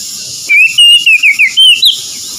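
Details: Short burst of Oriental magpie-robin (kacer) song for reviving stressed, quiet birds: six or seven clear whistled notes in quick succession, each slurring downward, ending on a higher note.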